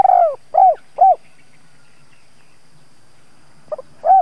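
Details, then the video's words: Spotted dove used as a decoy to attract wild doves, calling in 'thúc' style: a long rolling coo followed by two hollow coos, a pause, then a clipped double note leading into another low coo. "Tiếng chim cu gáy (THÚC - GÁY GỌI) kích bổi hiệu quả\ Chim cu gáy thúc gù"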